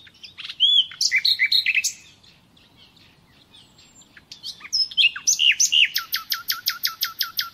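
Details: Nightingale song for training caged birds: varied chirps and looping whistles, a short lull, then a loud run of quickly repeated notes that continues to the end.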